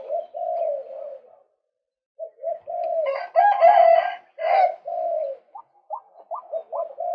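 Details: Male white-breasted waterhen used to attract birds: harmonic droning notes, a gap, then loud harsh croaking phrases and a string of quick, clipped, upward-flicking notes near the end.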